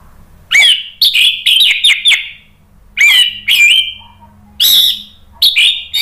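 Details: Orange-headed thrush; song; provoking other birds to answer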